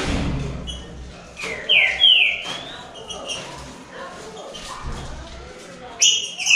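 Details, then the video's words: Three green-winged saltators in a singing contest give loud, clear whistled phrases that slur downward, in short bursts near two seconds and again near six seconds, over a hollow indoor murmur. "TRIO NA DISPUTA ESQUENTE SEU TRINCA FERRO"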